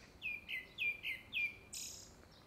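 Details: Grey-backed thrush singing in courtship, seemingly ahead of a second brood: five clear whistled notes, each sliding downward, spaced about a quarter second apart, ending in a high, buzzy, hissing note.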